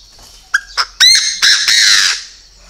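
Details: Loud call of a purebred Chinese francolin: two or three short sharp notes lead into a run of harsh, rasping, strongly ringing notes lasting about a second, over a faint high hum.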